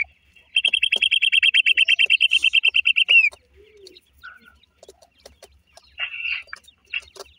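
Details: A run of rapid, evenly repeated high peeping notes from black francolin chicks lasting nearly three seconds and ending in a downward slur, followed by quieter scattered chirps and light tapping.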